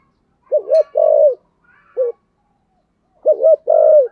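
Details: Spotted dove cooing in the giọng thổ manner: a loud double-note coo with a long falling coo, a short single coo, then the full phrase again. The background is quiet.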